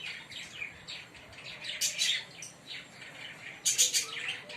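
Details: Green Fischer's lovebird pair chirping: scattered high, squeaky notes, with a louder cluster of harsh chirps near the two-second mark and another just before the end.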